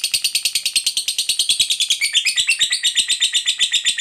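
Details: Fighter lovebird singing a drawn-out ngekek chatter to goad other lovebirds into calling: dense, scratchy, rhythmic pulses with a rising, warbling stretch midway, continuing evenly to the end.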